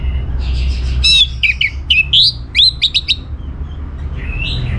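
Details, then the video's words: Orange-headed thrush in full song as a lure for other birds: a loud burst of quick whistled slurs and staccato high notes, followed by a softer warbled phrase, over a faint low hum. "Putar Kicauan ANIS MERAH Gacor Ini dijamin Pasti Ikut Nyaut Bahkan Langsung Teler"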